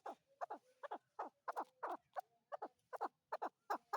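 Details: Chukar partridge, or chakor, calling in paired low clucking notes, repeated irregularly about every half second.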